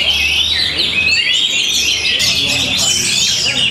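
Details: Kept Orange-headed thrush of Tabanan, Bali, Indonesia, singing with notable style and power: bright, rapid high whistles and trills flowing without a break, growing denser and sharper partway through.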